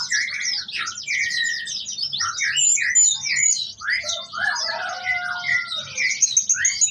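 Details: Lively orange-headed thrush song packed with mimicked phrases: dense, nonstop high twittering and rattling trills mixed with short whistled slurs, above a quiet low-frequency hum.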